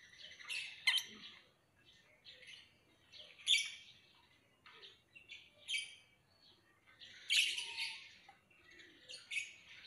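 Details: Lovebird chirping in sharp, scratchy bursts high in pitch, separated by short pauses, several bursts over about ten seconds.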